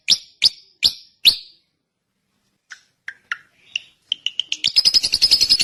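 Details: Drongo giving four loud, sharp upslurred notes, then a silence. Soft scattered chips pick up into a quick, buzzy chattering trill.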